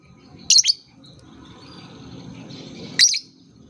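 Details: Lovebird calling in a therapy recording meant to coax young lovebirds into sound: a quick double chirp, then a long gap and one more bright, high chirp over faint low hum.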